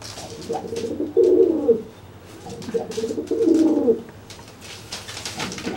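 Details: Dry pigeon cooing at a wet pigeon that cannot fly after bathing, puffing itself up to threaten it; two low, rolling coos with clicks and rustling between, indoors.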